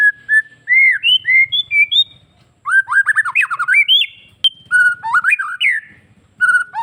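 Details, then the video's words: Bali white-rumped shama in full song with many inserted phrases, meant to make other shamas respond; arched whistles, dense chattering runs of slurred notes, and a sharp snap, with a faint low rumble underneath. "MURAI BATU BALI... suara gacor full isian BIKIN MURAI APAPUN LANGSUNG NYAUT"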